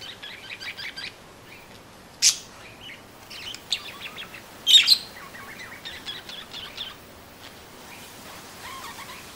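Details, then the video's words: Parakeets chattering with soft, fast twittering trills, broken by a few louder sharp squeaks and scattered high chirps, over low steady background noise. "Chant perruches | Bruit de Perruche"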